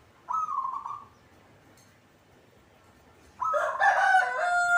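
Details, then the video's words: Local zebra dove kept in a cage gives a brief rolling trilled coo, then after a pause a louder, rich, extended cooing phrase. "hitungan detik perkutut cepat bunyi atau gacor"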